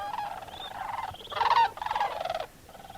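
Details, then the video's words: Sandhill cranes at sunrise on a frozen wetland roost at Bosque del Apache National Wildlife Refuge, flock awakening and flying out; loud rolling, gargling trumpet calls, one strong burst near the middle over a steady chorus. "Sandhill Cranes at Dawn"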